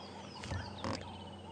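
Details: Grey go-away-bird hidden in a thick bush on a morning safari drive on 10 December 2014, alarm calling after an eagle flew over: two harsh, nasal, bleating notes about half a second apart over a low vehicle engine hum.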